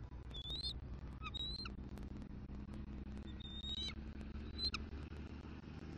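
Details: Female bald eagle reluctantly leaving eggs as her mate waits to incubate, Southwest Florida nest, December 2023; a few high squeaky chirps spaced about a second apart over steady low rumble and faint ticking noise.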